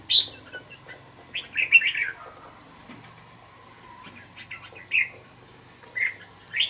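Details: Wild-caught juvenile red-whiskered bulbul after two months caged delivers scattered whistled notes and a short chattering phrase, separated by pauses of a second or more, over a quiet room background.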